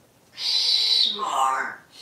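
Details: Talking parrot kept as a pet, playing with a plushie parrot indoors: one continuous, raspy, speech-like phrase that drops in pitch midway, lasting well over a second.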